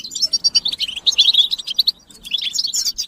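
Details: European goldfinch group twittering, used as motivation so males sing without pause: rapid high chirps and trills pour out, break off briefly past the midpoint, then resume in a tumbling rush.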